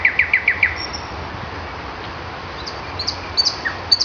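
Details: Common nightingale singing on a May morning, opening with five quick, sharp descending notes, followed by quiet gaps and scattered high, thin whistled notes.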